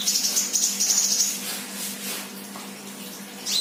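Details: A sunbird, a 'bahan' bird singing 'gacor', delivers a fast, thin, high trill of tiny chips lasting just over a second. Hissing noise and one last high note follow.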